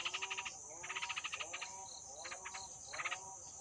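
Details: Hungry yellow-vented bulbul nestlings, two days after hatching, begging: quick bursts of rapid, clicking, trilled notes in four short runs over under four seconds, with a steady high hiss behind.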